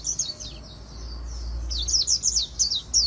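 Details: Short burst of the super-fast 'líu đấu' song of an Oriental white-eye, used for training and stimulation; faint high twitter, then loud, sharp, rapidly repeated slurred chirps over a low hum.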